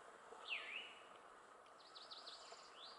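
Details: Tufted flycatcher, a rare US vagrant in upper Ramsey Canyon in May 2015, giving a bright slurred whistle, then a quick run of five or six thin, high, V-shaped notes and a final rising whistle, over soft background hiss.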